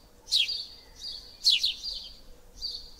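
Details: Eurasian tree sparrow with three loud chirps, each a sharp falling note that trails into a buzzy, level high tone lasting almost half a second before the next call.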